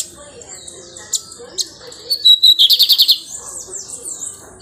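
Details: A captive-bred Lined seedeater nesting and singing: a quick burst of about eight sharp, high notes in under a second, set among scattered thin chirps and whistles.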